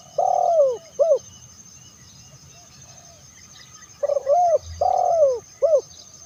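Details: Terkukur, the spotted dove of Indonesia, in a call meant to attract other doves: two phrases of mellow coos, each with a long downward-sliding note flanked by short arched notes, separated by a few seconds of quiet.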